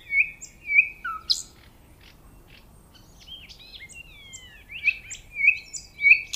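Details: Sharp whistled notes from a nightingale, a quieter stretch of swooping thin phrases, then three bright repeated whistles at the end.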